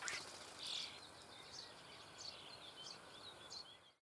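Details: In a breeding hole in the Eifel near Büchel, Germany, nestling common starlings being fed give high, squeaky chirps, about one or two per second, with sharper, louder notes at the start and a continuous hiss behind.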